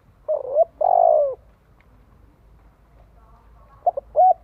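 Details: Spotted dove cooing, used for training decoy birds; a short two-part coo followed by a long, slightly falling coo, then a pause and a closing group of brief coos, with soft low background rumble.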